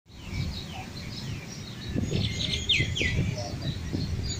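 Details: Bulbuls fighting; short sharp chirps and downward-sliding notes come in quick irregular bursts, getting busier midway, over steady low rumbling background noise.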